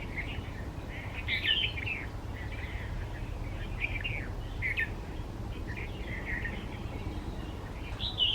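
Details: In West Bengal, India, a Red-vented bulbul sings from a bed of wildflowers, giving short, bubbly, slurred chirps in loose phrases every second or so, over a steady low rumble of background noise.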